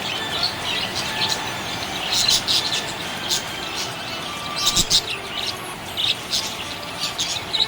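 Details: Happy budgerigar chirping: dense, scratchy high chirps and warbles in short bursts, with brief sharp clicks and faint steady background hiss.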